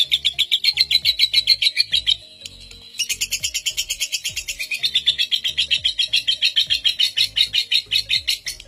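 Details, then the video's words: Lovebird delivering its long ngekek, a record seven-minute unbroken chatter used as a master for young birds: fast rattling trill, a short pause near the two-second mark, then resuming just as rapidly, low music behind. "Pancingan Lovebird NGEKEK PALING PANJANG Pemegang REKOR Saat ini | Ngetik Ngekek"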